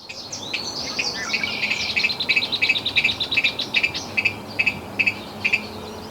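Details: A hidden Virginia Rail calls from a vast stand of cattails in a wetland, giving a brief jumbled burst, then a steady series of sharp, doubled ticking notes, about two or three a second, over soft marsh hiss.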